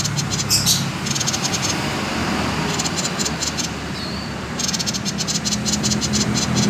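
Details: Common iora singing the 'konslet' type, used to coax other birds to sing: short clusters of rapid buzzy rattles, a gap of silence midway and a brief whistle, then a long run of fast pulses, all over a low steady hum.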